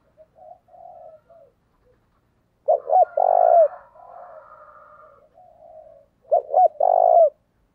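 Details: Spotted dove used as a lure to provoke other males, giving two strong phrases of clipped coos that end in a drawn-out, burred coo. Fainter, lower-pitched cooing runs before and between the phrases.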